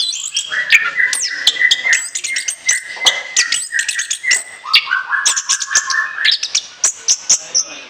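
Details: Orange-headed thrush singing continuously as a lure: long, lower sustained whistled tones under a dense spray of quick sharp high notes and trills.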